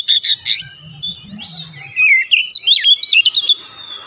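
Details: Vigorous Oriental magpie-robin song: opening loud chirps, quieter looping whistles, then an accelerating series of about eight crisp varied notes, all high and clear against a faint low hum.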